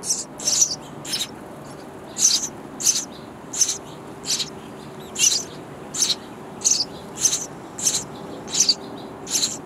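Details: Sparrow nestlings in a bird house nest chirping loudly for food from parents bringing insects; high, hissy chirps repeated in steady bursts about every half second.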